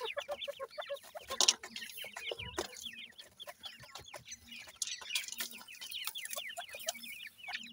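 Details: Feeding in a yard, 28-day-old francolin chicks keep up a dense, lively chatter of short downslurred peeps from several birds at once, punctuated by crisp clicks and a low thump near the middle.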